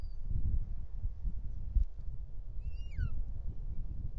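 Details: Bonelli's eagle in Els Ports Natural Park, Catalonia, 6 June 2024, male arriving at the nest with a snake in its beak: one harmonic whistled call that holds level and then drops sharply, over low rumbling background noise.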